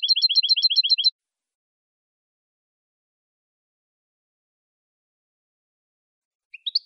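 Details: A saffron finch, on a recording made to train captive birds, gives a fast run of about eight bright, high chirps in one second. After a long silence comes a brief rising three-note phrase.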